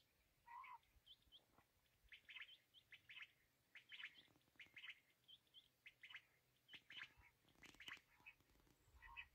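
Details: Black francolin (kala teetar) giving a busy series of scratchy, chirping notes, some high and thin, a few lower and rising, in irregular bursts of roughly one a second, with faint clicks between.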